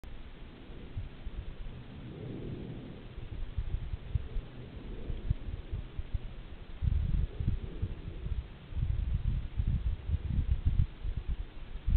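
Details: Low rumbling and thudding noise, like thunder, wind or handling knocks, with no animal calls.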